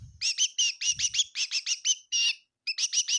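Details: A kitchen bird at Tseminyu chirps about a dozen bright notes in quick succession, one longer buzzy note, then more chirps, with low rustling at the start.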